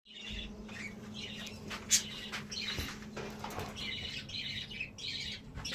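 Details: Budgerigars (Melopsittacus undulatus) chatter in bursts of scratchy, warbling chirps, with faint wingbeats and a steady low hum.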